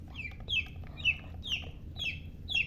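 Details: Chicks peeping in shrill, downward-sliding notes, one about every half second, clear and loud over a faint low rumble.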